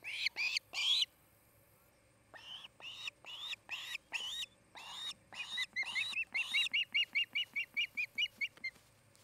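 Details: Osprey pair at a new nest near Charlo, Montana, in the nesting season: bursts of sharp, high chirping notes, first a few loud spaced calls, then a gap, then a fast regular run of short piping chirps.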